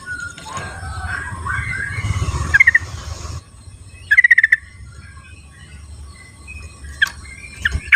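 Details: Wild sooty-headed bulbuls calling back and forth in the wild: short bursts of rapid bubbly notes repeated several times, with a low rushing noise early on and scattered background bird calls.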